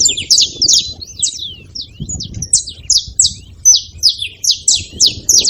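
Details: Saffron finch being noisy at a feeding spot: quick, bright chirps and short sweeping notes in uneven bursts, with a soft thump partway through.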